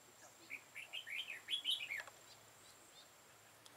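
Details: Decoy red-whiskered bulbul used for trapping, 13 October 2018: one clear phrase of liquid, rising-and-falling warbled notes lasting about a second and a half, then quiet with a faint thin hum.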